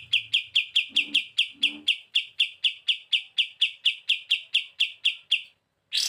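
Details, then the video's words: Kapas tembak singing lively bren beset masteran: a run of crisp high chips repeated about twice per second, then a short silence and the start of a new burst. "KAPAS TEMBAK GACOR BURUNG MASTERAN ‼️ SUARA BREN BESET NGETOP"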